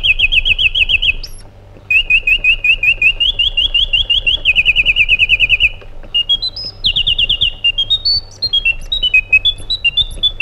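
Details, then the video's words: White-eared bulbul, called Iraqi bulbul, singing long bright trilled phrases that shift between pitch levels, broken by short pauses, ending with a run of varied rising and falling whistles. "Magnificent Harmony by an Iraqi Bulbul"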